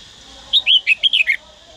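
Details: Song of a trained Red-whiskered bulbul from Daklak: six quick, bright whistled notes in a rolling, up-and-down phrase lasting under a second, clean and loud against faint background hiss.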